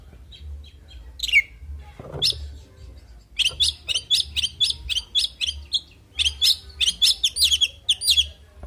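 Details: Oriental magpie-robin (kacer) in full fighting song: a thin downslurred whistle and a scratchy note, then a fast run of sharp, chirping high notes, roughly three per second, over a faint low hum.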